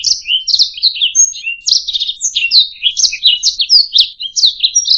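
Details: Canary warbling in a training recording for songbirds, varied twittering notes with a few pure whistled tones and a short buzzy trill, continuous and bright.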